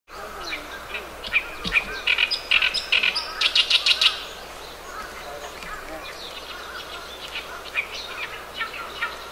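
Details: Oriental reed warbler on 10 June 2012 giving a harsh, croaking song that hardly sounds like a small bird, with rapid, grating repeated notes that swell loudest mid-phrase, then trail into softer chattering.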